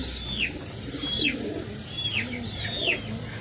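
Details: Chicks of pigeons begging during feeding by the parents. A few shrill descending squeaks, about one every half second, with faint low cooing murmurs below.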